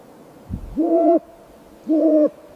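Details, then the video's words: Snowy owl uttering two evenly spaced, steady, nasal harmonic calls of about half a second each, preceded by a soft low thump. "Snowy owl chirping sound"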